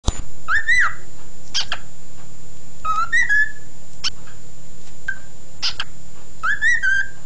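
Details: A pet male cockatiel singing on 16 February 2011 whistles short, warbling phrases that rise and fall in four bursts a second or two apart, with sharp clicks and a steady low hum underneath.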